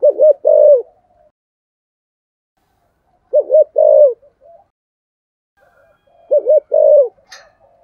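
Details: Spotted dove in the deep, thunder-toned "giọng thổ" cooing style, recorded as a decoy bird: three bursts of low hooted coos, each a quick double note then a longer rolling coo, spaced about three seconds apart in a quiet setting.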